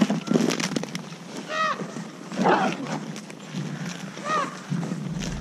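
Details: Common raven 'haa' food calls recruiting other ravens to food at a boar dinner: two clear, harsh, downward-arched calls about three seconds apart, with clattering and a broad scratchy burst between them amid background noise.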